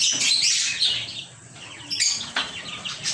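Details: Lovebirds chirping: a burst of harsh high chatter at first, then a quieter gap broken by short sharp chirps and squeaky notes near the end.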